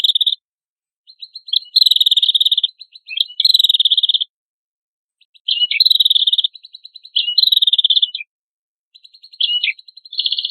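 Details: Lively ashy tailorbird song used to train cage birds, with long dense buzzy trills at high pitch alternating with softer ticking runs and short pauses, sometimes ending in a quick downward flick.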